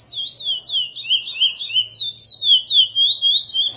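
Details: Chestnut-bellied seed finch (curió) singing the praia song style, Mineirinho, in a recording edited for song tutoring: a steady, unbroken run of clear whistled notes that warble up and down, about four per second, with faint low hum beneath.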